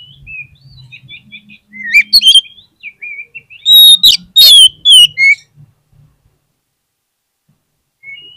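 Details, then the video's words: Oriental magpie-robin lure song, used to stir lazy caged birds into singing and answering quickly: soft scattered whistled notes, then a loud burst of sharp, rich, sliding whistles and chirps midway, fading into quiet with a last thin whistle. "PANCINGAN KACER PALING AMPUH UNTUK RANGSANGAN KACER YANG MALAS BUNYI AGAR CEPAT NYAUT"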